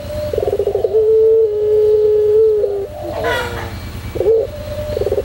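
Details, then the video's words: A white puter pelung dove sings a pelung song for training: pulsed buzzy bursts frame a long flat low coo, then wavering notes and a sudden brief noise, with more stuttered trills at the end. "masteran puter pelung putih manggung"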